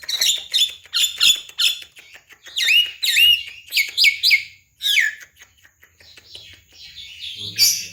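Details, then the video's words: Javan myna, a talking bird, singing energetically in a training recording for other birds: loud whistled notes, some sliding up and down, mixed with harsh buzzy chatter, in bursts with short pauses. "MASTERAN BURUNG JALAK KEBO SUPER GACOR"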